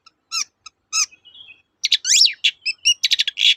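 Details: Long-tailed shrike singing 'toet-toet', aimed at restarting song in silent shrikes: spaced sharp chirps and a soft warble, then a dense varied chatter of swooping whistles, buzzy notes and quick chips.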